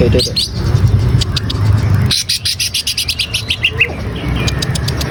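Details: Lure recording of a green leafbird meant to prompt a captive bird into full song: after a stretch of low rumble, a rapid series of bright clipped chirps follows, ending in brief twittered notes.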